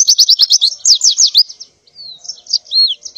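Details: Female white-eye in breeding condition calling males in the morning: rapid clipped high chirps, a brief pause, then a thin falling whistle and softer warbled notes.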